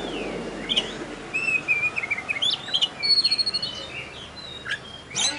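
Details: Champion oriental magpie-robin singing at a bird-singing contest in Tebas, just after being hung up to compete. It gives clear, high whistled phrases, some slurred and some steady, with short chirps in between. The background carries a soft hiss and low rumble.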